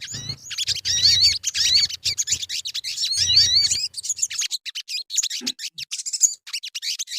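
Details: Sogon song played as a lure to prompt singing, a shrill rapid jumble of chirps and curling whistles with short gaps. Low rumbling thuds show early, then the twitter thins toward the end.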